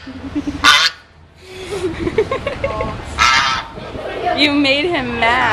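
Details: An angry goose, hostile toward a man, honks repeatedly in loud, nasal, wavering blasts, some rising and falling. People talk over the calls throughout.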